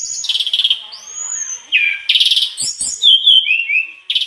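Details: Mangrove blue flycatcher singing hard and unloading its learned fill-in phrases: a rapid pulsing trill, a smooth high whistle, dense buzzy bursts, and quick descending notes, with a few faint knocks.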